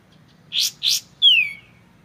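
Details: Two rasping, buzzy notes from a white-shouldered triller (kapas tembak), then a single clean whistle that falls smoothly in pitch and fades out.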